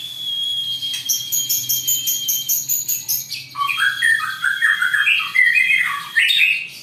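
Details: Captive white-rumped shama from a Trah Jawara breeding line, Vegas BF ring, singing long bursts. A steady whistled tone with a rapid high stutter leads into loud, varied warbled phrases that swoop up and down.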